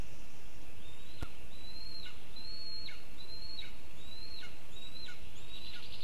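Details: Lesser spotted eagle at a nest about 20 m up a birch in Zemgale, Latvia, on 6 June 2024 as the mother feeds her eaglet: about eight high, thin, downward-slurring whistled calls, roughly one every 0.7 seconds, over a steady low rumble.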